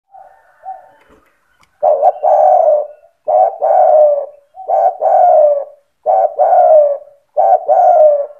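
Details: Spotted dove singing in a lively, insistent manner meant to provoke other doves into calling; low cooing phrases of two short notes then a long falling coo, repeated about every one and a half seconds, in a small room.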